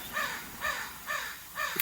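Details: Crows at five in the morning in British Columbia's interior during the 2021 wildfires, with smoke in the air, caw four times in quick succession, hoarse and slightly arched notes about half a second apart; faint outdoor background.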